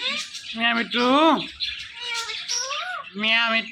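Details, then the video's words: Male Indian ringneck parakeet kept as a pet, talking in a run of speech-like syllables that rise and fall, about four short phrases with brief pauses between them. "This Ringneck Parrot Is Really Appreciable Because Of His Best Talking"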